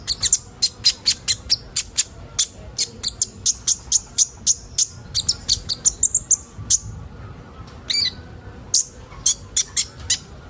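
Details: Sunbird called kolibri ninja, recorded as training material for young birds. A long, rapid series of very high, sharp ticking chirps runs for about seven seconds, then a brief pause and a few more spaced notes.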